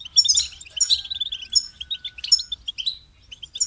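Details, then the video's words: Goldfinch twittering in quick, uneven bursts of high chirps and slurred notes, one ending in a thin falling whistle, over a faint long steady tone. "Amplifying the Goldfinch's Voice"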